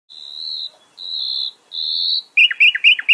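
A common nightingale sings three long, pure, high whistles that swell in loudness, then bursts into a fast run of sharp, downslurred notes, about six in under a second.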